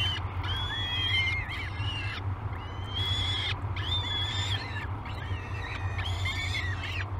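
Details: At feeding time on Great Spirit Bluff, 22 May 2020, peregrine falcon chicks on a live cam give rising, strained whining screams in four or five long bursts, with a steady low background drone.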